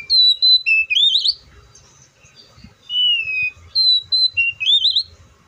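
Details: Melodious whistling from an oriental magpie-robin: steady high notes and a looping rising flourish, a short quiet spell, then a long falling whistle and the same phrase repeated.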